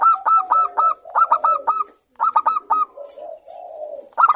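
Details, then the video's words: Lively local zebra dove in the morning, giving fast bursts of short, staccato coo notes in groups of four or five, with a brief low purring coo between bursts. "perkutut lokal gacor suara Rame manggung bunyi di pagi hari."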